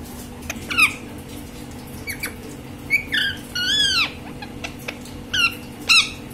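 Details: Green parrot indoors: a string of harsh, arching squawks and short screeches at irregular intervals over a steady low room hum.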